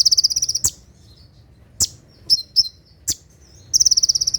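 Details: An olive-backed sunbird at night, in 'tembakan' style used for training birds: a fast, piercing high trill, a pause broken by a few sharp isolated chips and twitters, then the trill resumes.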